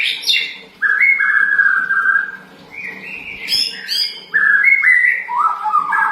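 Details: Sooty-headed bulbul lure song that gets other birds answering: clear whistled phrases, mostly level or gently rising notes, some held over a second, a few higher chirps between, with a steady low electrical hum beneath.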